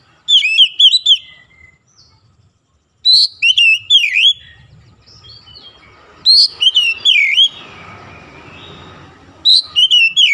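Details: Kacer, or oriental magpie-robin, sings in morning sun: four loud phrases of fast, looping, slurred whistles with harsher upper overtones, each phrase about a second long, separated by pauses and light background rustling.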